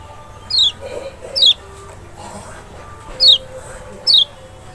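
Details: Lure for a Kecial, the Lemon-bellied white-eye of Lombok or Sumbawa, meant to make a silent bird answer: four bright, high, down-slurred notes in two pairs, with faint steady tones underneath.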